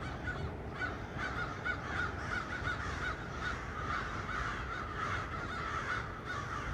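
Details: Crows hanging out in trees on 1 November 2022, making noise: a steady run of harsh, overlapping caws, several birds calling at once, repeated many times over a constant low rumble of background noise.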